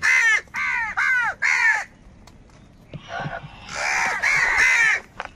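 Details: Loud, harsh crow caws from birds fighting for food, three evenly spaced arched calls, a pause, then a longer overlapping flurry of hoarse cawing.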